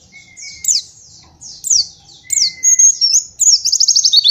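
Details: White-eye master song for teaching juveniles: separate sharp, high downslurred notes over a faint low whistle, speeding into a quick trilled run of chirps near the end.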